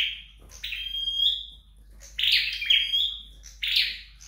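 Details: Home-trained flowerpecker singing indoors: three loud bursts of high, buzzy chirps, each with a thin sustained whistle, separated by short pauses, with little background noise.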